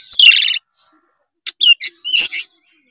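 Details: Short burst of white-rumped shama song for prompting a lazy young bird: a harsh buzzy rattle followed by a few sharp whistled notes and a loud chattering phrase.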